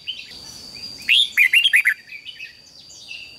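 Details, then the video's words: A red-whiskered bulbul sings in competition as a training lure: one rapid run of about six bright warbled notes, followed by soft twittering and a steady thin tone. "Chào mào hót đấu"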